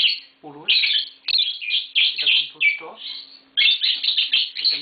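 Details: Green Fischer's lovebirds kept indoors, a mating pair among babies, pour out fast shrill chirps and scratchy twitters in clustered runs, with a low murmur briefly audible at the start.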